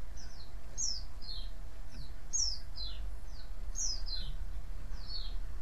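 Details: High white-eye chirps used to bait other white-eyes into answering: crisp falling notes in pairs and triplets, a louder phrase returning roughly every one and a half seconds, quiet low background.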